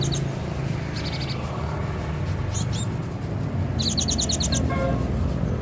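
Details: Caged cinereous tit from Aceh, kept at home and hung high, singing vigorously: a quick burst of about eight sharp, high, evenly repeated notes near the end, over a steady low rumble of background noise.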